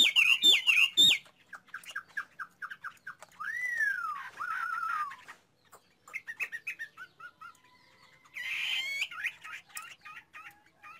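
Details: Chinese hwamei singing loud opening whistles, then rapid series of short chips and a long, looping whistle that falls away, ending with a bright burst and repeated notes.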